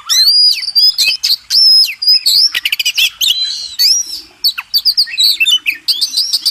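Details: Oriental magpie-robin master recording for training contest birds: loud, clear whistles and downslurs alternate with rapid clicking trills and chattering bursts in a rich, varied high-pitched song.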